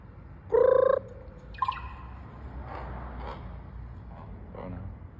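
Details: Raven making odd alien-sounding noises: one loud, buzzy, harmonic-rich call lasting about half a second, then a short higher squeak and several faint, breathy notes against a low rumbling background.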